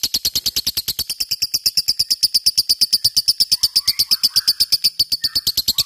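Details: Lovebird giving the long 'ngekek' chatter prized in fighter birds. High, steady, rapid pulsed notes run without a break for six seconds, with faint lower chirps in the background.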